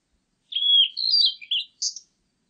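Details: Whistled blue-and-white flycatcher phrase: a long clear note sliding between pitches, followed by a few lower slurred notes and ending with a high short burst.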